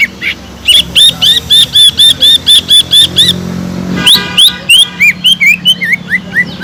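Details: Sumatran leafbird, a gacor caged bird, singing to provoke other leafbirds into excitement: rapid series of clear whistled upslurred notes about four per second, then shifting to varied swooping whistles; faint low engine hum beneath.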